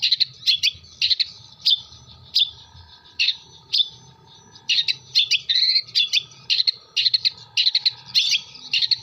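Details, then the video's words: Long-tailed shrike, local to Jember, Indonesia, delivering imitated kuntilanak, gereja and tengkek buto phrases: clipped high notes spaced irregularly, then a busier stretch of rapid chattering chirps and short trills near the end, with a low steady hum. "CENDET MATERI KUNTILANAK GEREJA TENGKEK BUTO ASLI JEMBER"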